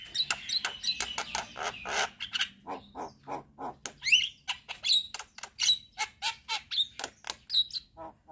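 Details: Javan myna singing actively with head-bobbing, full filler phrases: a steady string of dry clicking notes roughly one a second, interspersed with sharp rising whistles and scratchy chatter.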